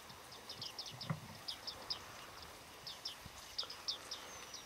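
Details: Flock of bearded reedlings (Panurus biarmicus) in autumn, 8 November 2013, Flamingo Lake, Shirvan National Park, Azerbaijan: short, high, metallic pinging notes in scattered, overlapping bursts over soft rushing background, dull thump near start.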